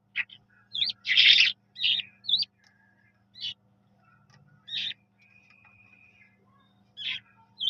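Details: Eurasian skylark, known as jal mashadi, giving sparse notes: a loud buzzy burst, quick upslurred whistles, then a long level thin whistle, separated by pauses over a quiet hum.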